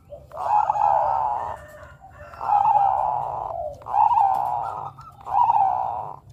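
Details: Zebra dove of the Bangkok type, a Javan bird and the identity fauna of Yogyakarta, singing vigorously as a lure for other zebra doves: four long, buzzy, mid-pitched coos, each over a second, spaced about every 1.5 seconds.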